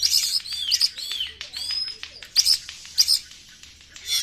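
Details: White-rumped shama song played as a lure: rapid varied phrases of high chirps, slurred whistles and clicks, arriving in bursts about every half second, over a steady low hum.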